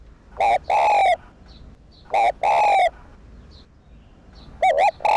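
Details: Spotted dove cooing, used as a lure to stimulate and attract wild doves: three loud, harmonic-rich coo phrases, each a short note followed by a longer drawn-out coo, spaced about two seconds apart over a quiet background.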